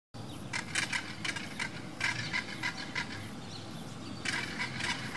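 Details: A Southern crested caracara at San Cristóbal, Santa Fe, on 11/2/2024, moving its neck as it calls, gives harsh, grating notes in quick rattling bursts with brief pauses, over a steady low rumble of wind or distant traffic.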